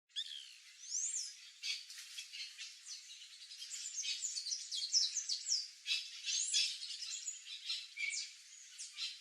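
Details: White woodpecker, a bird of Brazilian cerrado, pasture and farm yards with ripe fruit, giving high chattering and slurred whistled notes in a busy, irregular series, recorded fairly faint.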